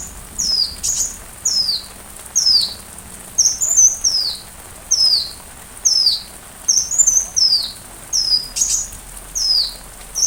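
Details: Sunbird song used as training material for a white-rumped shama: short, very high, downslurred whistled notes repeated roughly every second, with occasional sharper ticks over a quiet background.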